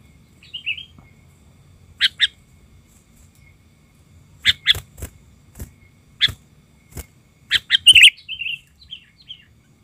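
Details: Sooty-headed bulbul lure bird worked up: a soft warbled phrase, then scattered sharp clicks and chirps over ten seconds, a loud harsh burst near the end, and a brief closing warble.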